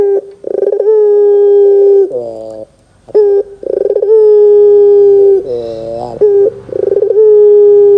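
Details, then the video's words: Barbary dove cooing in the loud 'gacor dor' style, used as a lure to make young doves answer: long level coos, each lasting a second or more, broken by buzzy, rippling trills and short sharp notes. No other sounds. "PANCINGAN PUTER GACOR DOR TERMEWAH 2024, WAJIB COBA, PUTER BAHAN MUDA PASTI NYAUT !!!"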